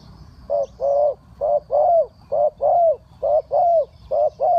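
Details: Spotted dove calling down wild birds in the three-kuk trailing style. A steady run of mellow low coos comes in short-long pairs, the longer notes slightly arched, repeating about every second with little background noise.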